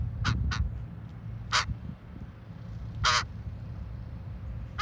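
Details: A raven in the Ocean Beach dunes, San Francisco, gives harsh, rasping caws: two quick calls, then single ones about a second and a half apart, over a steady low rumble of wind and surf.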